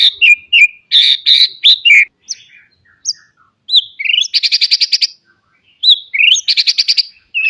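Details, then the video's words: Full, fill-rich white-rumped shama song meant to train young birds to sing: rapid mixed phrases of sharp chirps, upslurred whistles and fast buzzy trills repeated in bursts, loud and clean. "Kicau Murai batu full isian, cocok buat pancingan masteran Murai bahan agar cepat bunyi & gacor."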